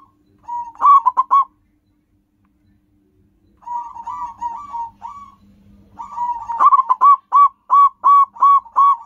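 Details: Wild local zebra doves calling back and forth for luring: a loud staccato cooing burst, a pause, a softer trill, then a long run of evenly spaced loud coo notes about four per second.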